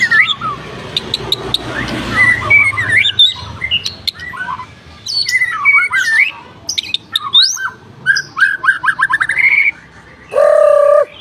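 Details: A white-rumped shama pours out a fast medley of bright whistled slurs, upward sweeps and dry clicking notes, broken by short pauses. The song closes with a deep, steady nasal tone.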